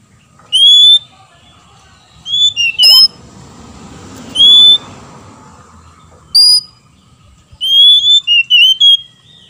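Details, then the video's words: Male and female Oriental magpie-robins answering each other in song, used to make other birds angry and vocal; repeated bright whistled phrases and quick warbled notes in bursts, with a soft noisy background. "PANCINGAN KACER BETINA DAN JANTAN BERSAUTAN BIKIN KACER LAIN MARAH DAN GACOR"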